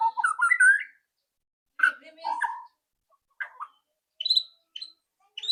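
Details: White-rumped shama song used as a lure so a bird starts singing sooner; a few short, varied whistled and warbled phrases separated by silent gaps, some notes rising sharply at the end.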